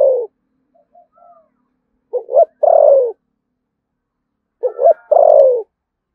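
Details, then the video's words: Vietnamese spotted dove from Đồng Nai giving 'thúc gù' coos in the 'giọng thổ sấm' style. Two deep phrases, each a rapid pair of short hoots then a drawn-out descending coo, spaced about two and a half seconds apart. "cu gáy giọng thổ sấm Thúc Gù"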